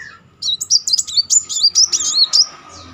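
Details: Brief rapid, high, zigzagging trill from a Kolibri Muncang sunbird, about two seconds of looping notes. It serves as a lure to rouse a silent bird to sing.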